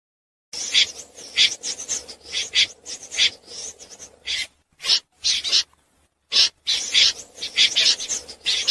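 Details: Common snipe calling at night, played as a lure for net trapping: harsh, rasping bursts, each brief and buzzy, repeated irregularly with short silent gaps near 4.5 and 6 seconds.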